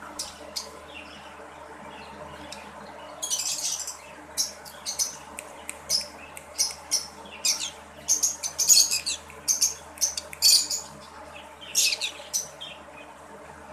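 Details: A breeding pair of red-bellied green-cheeked conures gives harsh, scratchy squawks in quick bursts, clustered mostly between three and eleven seconds, over a steady low hum.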